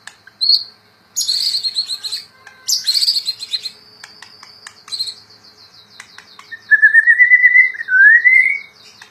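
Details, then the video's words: Owned white-rumped shama (murai batu) in full, lively song (gacor): a short high whistle, grating buzzy bursts with dry clicks, a rapid stuttering series, then two drawn-out sweeping whistles, the last one climbing. "Murai Batu Gacor"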